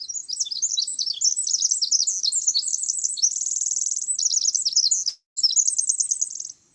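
A Pacific Wren sings a long, rapid, tumbling cascade of very high tinkling notes and fast buzzy trills, broken by one brief pause.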